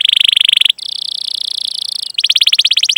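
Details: Canary rolling song played to encourage young or silent canaries to sing: three dense trills, the middle one a steady high buzzy roll, the last a run of quick rising chirps.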